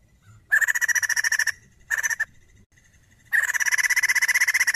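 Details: Female white-crested laughingthrush giving two long bursts of rapid, evenly pulsed chattering notes with a short burst between, separated by silent gaps.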